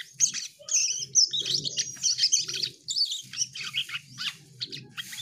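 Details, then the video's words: Asian pied starling in lively full song: a rapid jumble of chattering, whistled and scratchy high notes with short slurred phrases, delivered continuously, with a low rumbling background underneath. "Burung cucak Keling Gacor"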